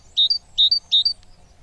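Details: Great tit chick during feeding: three high, clear two-part chirps, each note stepping upward, spaced about 0.4 seconds apart, over near silence.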